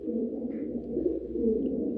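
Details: Hobby fancy pigeons of a famous Saudi Arabian breed, kept in Noakhali, cooing steadily in a deep, rolling, continuous murmur with slight pulses, indoors in a small room.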